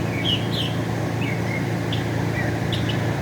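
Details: Northern mockingbird in America giving a few spaced phrases: buzzy chirps, a slurred whistle and short sharp notes separated by pauses, with steady low traffic noise throughout.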